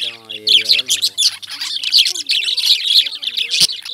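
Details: A chorus of shrill, overlapping lovebird chirps and squeaks. A low, voice-like tone opens the recording before the birds dominate, and a sharp click sounds near the end.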